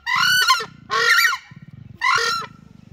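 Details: Southern (crested) screamers giving their territory call: three loud, harsh, goose-like honks about a second apart, with deep rapid throbbing pulses filling the gaps between them.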